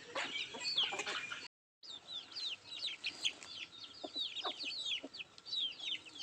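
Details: Nattu kozhi, country chickens, feeding. Dense overlapping high peeps, each a short falling whistle, pour out continuously, broken by a brief silent gap early on.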